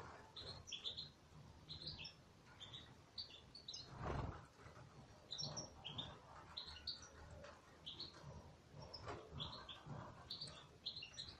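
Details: Caged European goldfinches twitter in lively clusters of short, high, bouncing chirps, often two or three notes quickly joined. A sharp flapping thud comes near the middle, and low background noise runs throughout.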